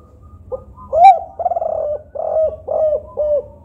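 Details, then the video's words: 'Kuk 4' cooing of a spotted dove meant to provoke silent doves to answer. A quick coo leads to a strong rising note and a fluttering rolled phrase, followed by three or four rounded, falling coos in quick succession. "Suara Burung Tekukur Kuk 4 Gacor Paling Ampuh Untuk Pancingan Yang Malas Bunyi Agar Ikutan Gacor"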